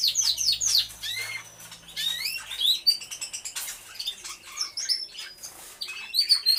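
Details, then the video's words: Aviary canaries singing: scattered bright whistled slurs and chirps with brief gaps, a faint low hum beneath in the first seconds. "CANTO DE CANARIOS"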